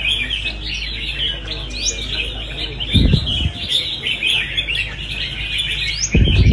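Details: Red-whiskered bulbul in a singing competition: dense overlapping bird phrases around high pitches, several birds calling at once, with loud thumps and knocks near the end and a background hum.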